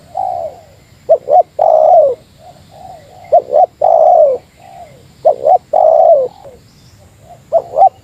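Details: Meratus-style spotted dove call used against a rival bird: repeated phrases of short paired hoots leading into drawn-out, descending coos, with softer coos in between over about eight seconds.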